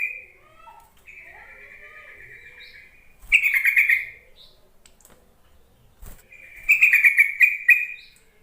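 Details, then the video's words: Yellow-vented bulbul calls aimed at drawing lazy bulbuls into song: a steady thin high tone, then two loud bubbly chattering phrases about three seconds apart, separated by a sharp click. "Suara panggilan trucuk untuk memancing trucukan bahan ombyokan malas bunyi"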